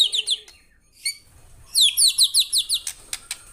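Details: Singing white-rumped shama: a few high whistled notes, then a rapid rhythmic series of bright, downward-slurred whistles followed by sharp clicks.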